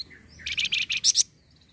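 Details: Flamboyan bird song used to prompt others to sing: a soft slurred whistle leading into a rhythmic series of five or six loud, rasping chirps in under a second.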